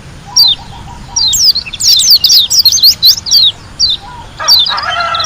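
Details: Lombok white-eye singing hard in wild style: scattered high chirps build into a dense burst of sharp, slurred whistles, then sparse notes. A faint low trill opens the passage and a brief harsher, lower sound closes it.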